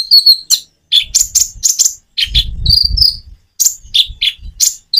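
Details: Common iora song with natural pauses, made as a lure to prompt reluctant birds to answer: sharp chattering high notes and short whistles in quick bursts, broken by brief silences, with low thumping rumbles beneath some phrases.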